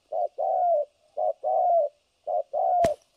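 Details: Spotted dove kept as a trapping decoy in Vietnam, three low two-note coos, a clipped note followed by a drawn-out slightly wavering one, ending with a sharp click.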